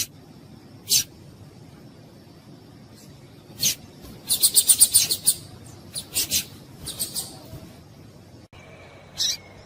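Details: Calling female double-collared seedeater, heard by males to get them excited: scattered sharp chips, then a rapid run of high twittering notes, more chips, and a thin whistle near the end.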